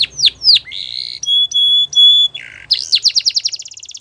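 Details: Canary delivering varied song: swooping down-slurred notes, pure steady whistled tones held about a third of a second each, then a quick accelerating series of chirps.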